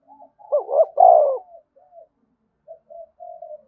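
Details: Spotted dove giving a vigorous 'thúc bổi' style coo: a few soft low notes, then two loud rolling coos in quick succession, trailing into three quieter, level hoots in a quiet setting.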